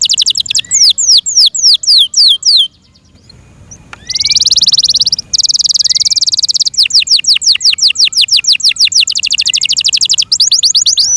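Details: Kept Yorkshire canaries singing: rapid runs of high, sweeping whistled notes, about three per second, broken by dense buzzy trills and rolling chops.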